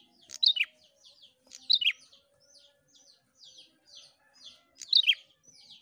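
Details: Lively prinia singing without pause, played to rouse other prinias: three loud, sharp paired notes roughly every one and a half to three seconds, with gentle, high, chirpy notes filling the gaps.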